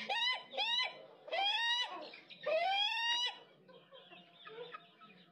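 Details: A laughing chicken (ayam ketawa) crows a sample call with a closing phrase: a run of bright, rising syllables ending in longer drawn-out notes.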